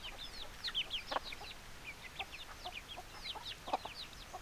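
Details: Chickens in a backyard: rapid, overlapping, high-pitched downslurred peeps repeat constantly, mixed with occasional lower, broad cluck-like pulses.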